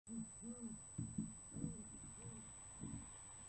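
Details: Great horned owls in February 2017, a male calling in a female to a perch: a series of low, soft, arched hoots, some doubled, repeated irregularly over a faint steady background hum.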